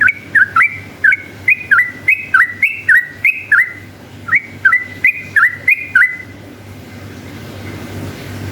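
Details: Long continuous song of a yellow-vented bulbul, played to coax other bulbuls to sing: a fast string of about twenty crisp, up-and-down whistled notes over six seconds, then a quiet stretch with faint background hiss.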